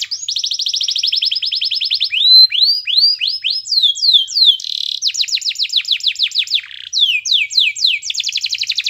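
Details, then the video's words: Canary singing as a master track for encouraging other canaries to sing: rapid high trills alternating with series of swooping down-slurred whistles and quick rising notes, varied and unbroken, with a clean background. "MASTERAN KENARI GACOR Yang Lain Agar Ikut GACOR"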